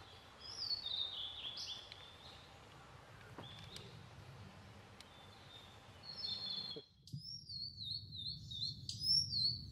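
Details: Male blue-and-white flycatcher (Cyanoptila cyanomelana) singing from a treetop on Mount Futatabi, Japan, on 4 June 2018 before the rainy season: high, clear whistled, sliding and warbling phrases in short bursts over a low background rumble.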